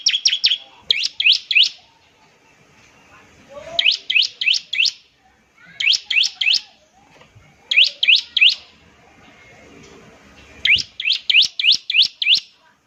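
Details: Repeated short bursts of three to five high, sharp chips, roughly every two seconds, from a bar-winged prinia trilling ngebren to draw other prinias into song.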